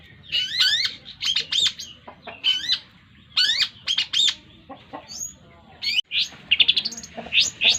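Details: Young caged Long-tailed Shrike, eight months old and already winning contests, delivering a full Tengkek Buto medley with greja and yeret: chattering high bursts, scratchy downslurs and a rapid stuttering run near the end.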